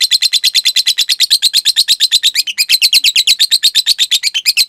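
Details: Lovebird giving its long ngekek trill, used as master material for training caged lovebirds: a rapid chain of high, sharp chattering notes, about three per second-fraction, steady and unbroken, with a short hitch midway.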